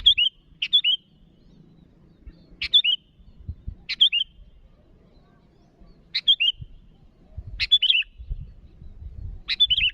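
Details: A sooty-headed bulbul calls out to rivals with six quick, bright phrases across ten seconds at uneven gaps. Each is a clipped note and a rolling whistled flourish, over soft low background rumble.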